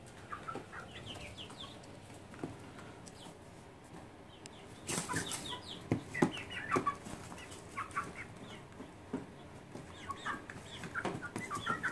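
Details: Domestic chickens kept as a flock, recorded 30 June 2014, utter soft repeated clucks and brief harmonic squawks that grow busier after a few seconds, mixed with sharp rustling and flapping noises.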